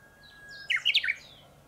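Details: Japanese bush warbler singing at the top of a tall tree one morning, unlike its habit of singing on low shrub branches: a faint low held whistle, then a loud rapid cluster of four bright warbled notes.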